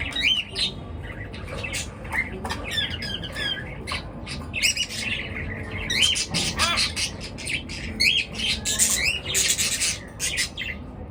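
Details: Many birds chirp together in the morning, a continuous jumble of quick rising whistles, trills and scratchy squawks, growing denser toward the end.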